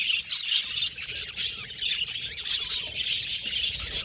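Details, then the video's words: Budgies tweeting and chattering together, a bright unbroken mix of quick high chirps, warbles and short whistles, rising and falling slightly in loudness. "Budgies Chirping Sound"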